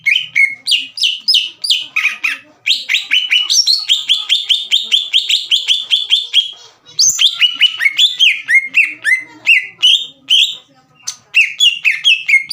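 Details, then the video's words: Green leafbird in lively song used to goad rival birds: a long, fast flow of high whistled and chattering notes, with brief pauses, nearly continuous for over twelve seconds. "MEMANCING CUCAK IJO LAWAN AGAR EMOSI DAN GACOR"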